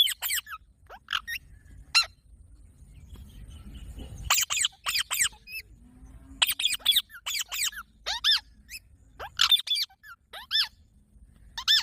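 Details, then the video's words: Parrot giving a long run of short, harsh, high squawks in irregular bursts, some in quick pairs, separated by brief silences, over a faint low background rumble. "Funny Parrot Sound Videos | Parrot Sounds Videos Compilation"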